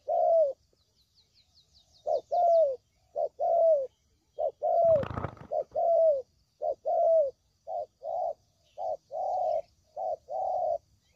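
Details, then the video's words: Spotted dove cooing as a trapping lure: low hoarse coo phrases repeated steadily, short notes leading into falling longer coos, one brief noisy knock midway, and faint high bird twitters. "Suara Pikat Burung Tekukur Paling JITU"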